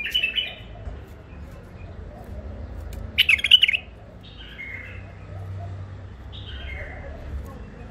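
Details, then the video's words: Bulbul from the wild at Mandali, Iraq, kept caged after capture, gives a loud burst of rich warbling followed by softer, slurred whistled phrases spaced a second or so apart, over a low steady hum. "بلابل وحشيات خامات كاع منفذ مندلي لسانات روعه"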